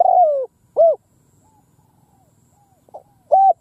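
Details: Field decoy spotted dove luring wild doves with ground cooing: a long downward-sliding coo, then a short arched coo, a quiet gap, and two more short coos at the end.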